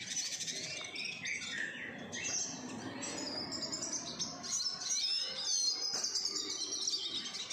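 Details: Captive-bred siskins in a home collection: busy overlapping high twitters, thin trills and short rising whistles from several birds, continuous throughout with light background noise.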